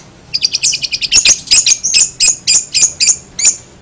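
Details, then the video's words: Long-tailed shrike, noted as singing vigorously with unusual sounds: a stuttering string of soft high chips building into louder, sharp, squeaky notes repeated several times a second. "cendet gacor suara aneh"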